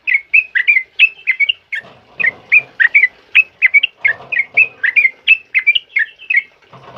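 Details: Sooty-headed bulbul song in the loud 'ropel uplik' style, used to train other birds: quick, whistled, up-and-down notes in rapid runs, punctuated by several low rustling or flapping bursts.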